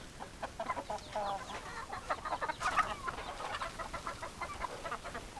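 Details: Chickens clucking steadily, a run of short, soft clucks about several per second rising in a slight flurry near the middle, over constant low hiss.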